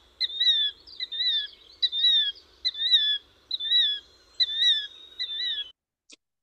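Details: Killdeer gives loud, high, ringing two-note kill-deer calls, the second note falling, about seven times in quick succession; killdeer call persistently, flying around when disturbed by intruders such as surveyors.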